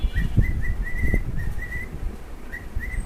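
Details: Two cockatiels singing: a run of short, clear whistled notes held at one even pitch, some slightly rising, about nine notes in three seconds with a brief pause, over low rumbling background noise.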